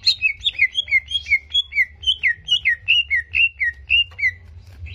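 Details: Greater green leafbird song meant to raise a competing bird's aggression: a steady run of clear whistled slurs, each dipping down, repeated about three times per second over a low hum.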